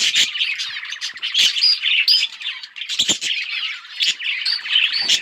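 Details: Budgies playing with each other, October 30, 2023; bursts of scratchy warbled chatter and squawky notes with short whistled tones, interrupted by sharp clicks.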